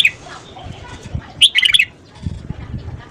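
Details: Morning song of a red-whiskered bulbul for voice training: one quick phrase of bright, jumbled whistled notes, with soft wing flutters and low thumps around it.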